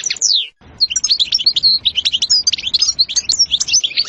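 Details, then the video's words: A European goldfinch gives its sitsita and bitbita style song. A rising and falling sweep is followed by a brief gap, then an unbroken stream of sharp, high chirps and tinkling notes. "تغريد حسون روعة ستستة وبتبتة خرافية محفزة جدا goldfinch jilguero chardonneret"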